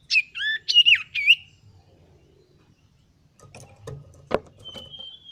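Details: Male common iora learning to sing gives three quick, bright, wavering chirped notes in a tight cluster, then goes quiet while soft knocks, clicks and a thin high whistle follow.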